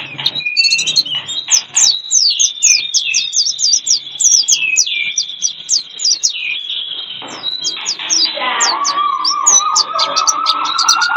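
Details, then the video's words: Lure recording for attracting wild birds: dense overlapping high, sharp chirps over a long sustained whistled tone, with a lower warbling phrase rising toward the end; several birds seem to call at once. "Pikat ampuh,untuk pancingan burung liar"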